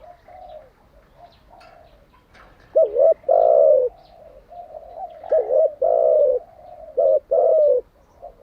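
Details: Captive spotted dove used as a decoy for training other doves, giving repeated cooing phrases: sharp dipping double notes each followed by a long rough coo, heard about three times.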